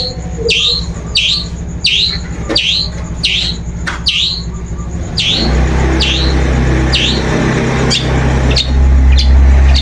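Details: Lure recording of a long-tailed shrike to draw a bird into singing: sharp downward-sweeping notes repeated about three times a second, then a rushing rumble like passing traffic rises underneath.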